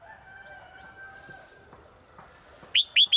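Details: Female bird calling to the male in the forest: after faint steady tones and soft background sounds, three short, loud, high notes arrive near the end.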